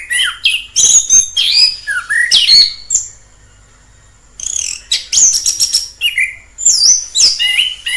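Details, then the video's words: A wild orange-headed thrush pours out quick scratchy and whistled phrases, holds a thin steady high whistle during a short lull, then resumes with varied sliding notes. "Suara asli anis kembang di alam liar"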